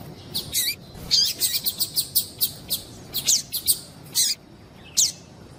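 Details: High, thin chirping from a female double-collared seedeater, a call used to set a male singing; notes come in a quick uneven series, then a few spaced single calls near the end.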